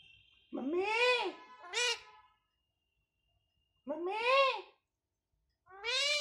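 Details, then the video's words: Household parrot imitating Hindi words: loud, arched, nasal syllables with a short higher follow-up note, then a pause, then two more similar speech-like calls. "bolne wala tota। मम्मी मिट्ठू रोटी खानी है।"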